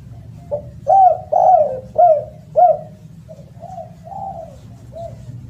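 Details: Spotted dove calling loudly and melodiously: a short lead note, four strong falling coos, then three softer, quieter coos ending the phrase, with steady low hum throughout.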